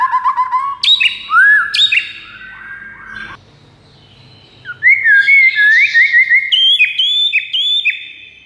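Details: White-rumped shama master song used to lure rival shamas: clear whistled phrases, first low near steady notes, then upslurred and sharply rising whistles, a pause, then a fast run of bright warbling notes and repeated high whistles.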